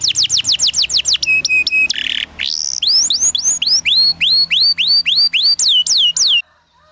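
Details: Domestic canary giving training song for young birds: quick falling slurs, clipped high whistles, a harsh buzz, then a long series of rising-and-falling whistled notes about twice per second, ending abruptly in silence.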